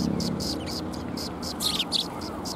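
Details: Sparrows coming to a shrine to be fed, 12 February 2021: a quick series of short, high chirps repeated several times a second, louder toward the end, over steady background hum.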